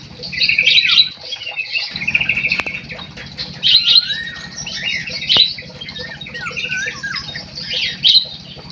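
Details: Munia delivering a dense, scratchy high-pitched warble mixed with short twittering notes and one longer falling whistle, in loud bursts separated by brief quieter gaps, faint hum beneath.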